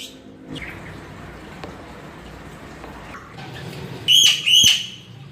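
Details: Crow calling in a quiet setting: after near silence, two loud, clear whistled notes with bright overtones follow each other in quick succession near the end.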